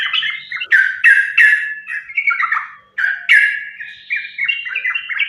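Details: Lure recording of a sooty-headed bulbul singing in fighting style to get other bulbuls calling: loud harsh squawks mixed with quick chattering, warbled phrases.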